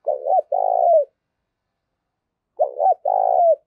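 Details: Spotted dove calling to stir up fighting, used as a decoy. Two identical phrases sound about two and a half seconds apart, each a quick double coo followed by a held, buzzy croo that drops at the end, against silence.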